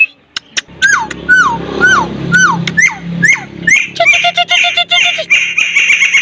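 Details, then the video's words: Sulawesi myna singing in full voice: a series of descending slurred whistles about twice a second, then sharp clicks and a buzzy, harmonic-rich rattling phrase, with low background hum. "burung raja perling gacor"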